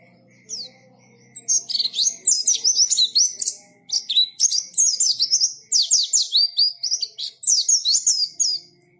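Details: Ngalas-style song of a white-eye: after a quiet start with one chirp, dense runs of high, rapid twittering notes follow almost without pause.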